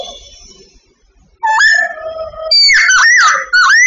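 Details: Babbler singing during bird training. A faint, quiet start gives way to loud, clear whistled notes: level tones, then a wavering, rising and falling phrase near the end.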